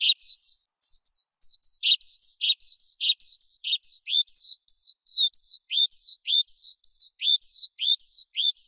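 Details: Measured forest skylark song of paired notes, a high chirp followed by a lower slurred whistle, repeated almost twice a second with small gaps between pairs, in clean quiet surroundings.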